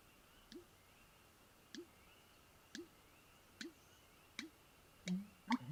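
American Bittern giving low, hollow, gulping booms like water in a drain pipe, repeated roughly every second, each with a faint click.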